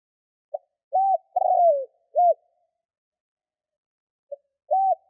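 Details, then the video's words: Spotted dove used as a decoy in Vietnam to lure wild doves. It gives a soft lead-in, a hoot, and a longer sliding coo, then one more arched note. After a pause a faint note and another hoot follow. "Chim cu gáy kích bổi nhanh nổi"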